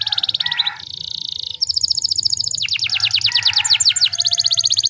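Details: Canary singing, played to prompt other canaries into song: varied rapid phrases, a buzzy sustained trill, then quick chirped notes and a series of falling sweeps before a fast high trill.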